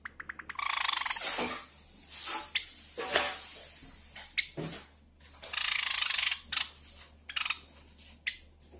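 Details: Java sparrow (Padda oryzivora) calls from a medley of song, contact and begging calls: a quick run of dry ticking clicks, then bursts of high, bell-like chirps and chattering notes in irregular spurts, faint low hum underneath.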